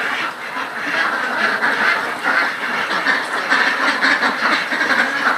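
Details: Ducks kept on a farm quack in a rapid, irregular chorus of raspy calls lasting over five seconds, with the loudness surging and dipping.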